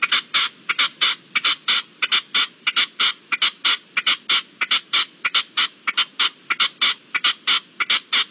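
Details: Loud, close partridge call at dusk, 7 April 2022: a long, steady string of harsh, grating chuck notes, about one and a half per second, clear over a quiet background.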